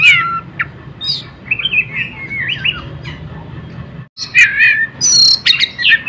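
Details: Oriental magpie-robin (kacer) with continuous 'konslet' singing used to lure other birds: wavering whistled phrases and squeaks, a short silent gap, then loud harsh rasps and shrill high notes.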